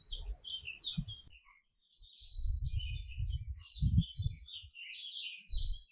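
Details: Canary song: quick high warbling and twittered notes run almost continuously, accompanied by repeated dull low thumps, probably from the bird moving in its surroundings.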